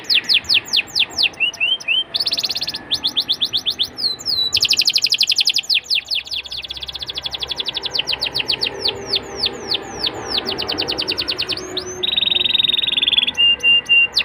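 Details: Canary song played to coax young canaries into singing: fast tours of repeated down-slurred whistles, bursts of dense buzzy trill and a steady high rolling note near the end, with faint background hiss.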